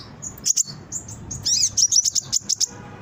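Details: Brown-throated sunbird song meant to lure birds and prompt them to sing; thin high chips and a short burst of fast, sharp high notes in quick succession.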